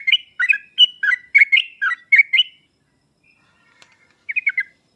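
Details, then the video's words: Sooty-headed bulbul song used as a master recording to provoke reluctant birds: a run of bubbly, slurred whistled notes in quick short phrases, a pause, then a brief closing burst of similar notes. "pancingan dan masteran trucuk paling cepat di sambar trucuk malas/susah bunyi langsung nyaut"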